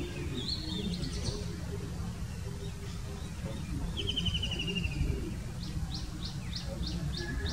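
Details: Answering call of a white-throated kingfisher, one quick descending rattle of sharp repeated notes in the middle, with faint high chips from other birds and a constant low rumble of background noise.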